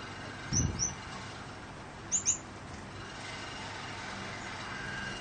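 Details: Male and female Gouldian finches, rare recessive dilute back and blue mutations, housed indoors with a fan during 40C days. Two pairs of short, high, sharp chirps, heard over a continuous fan hiss.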